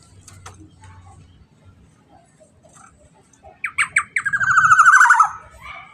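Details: Black-naped oriole song: a burst of clipped, nasal notes, then a dense, trilling run of repeated syllables, with faint background noise and low rumble before it.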